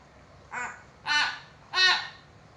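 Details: Vocal hill myna offered as a trigger for silent mynas: three harsh, nasal, harmonic squawks, the second and third louder and longer, about half a second apart.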